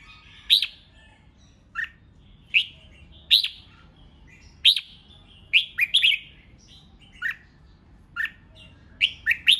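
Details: Red-whiskered bulbul singing competitively to goad wild-caught birds. A steady series of loud, sharp whistled notes and short phrases is repeated roughly every second, steady throughout, over a faint low rumble.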